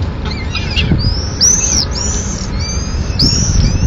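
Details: At a peregrine falcon nest in Madrid, 4 May 2016, the male delivers a swift to the chicks. Thin, high whistled whines arch up and down, several in four seconds, over a quiet rumbling background.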